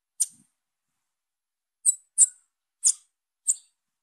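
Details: Young female Bananaquit calling: one lone high, thin tsip, a pause, then four sharp chips in quicker succession. The background is otherwise quiet.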